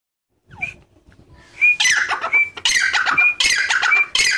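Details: A whistle-tamed grey francolin gives loud, harsh, grating squawks in quick bursts, about one every second, with a thin, steady high whistle threaded between them.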